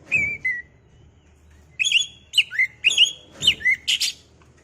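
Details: Lure recording of an oriental magpie-robin to provoke a kacer into singing: sweet whistled notes, a short silence, then about six loud whistled phrases in quick succession, each with a dipping slur, under a faint low hum.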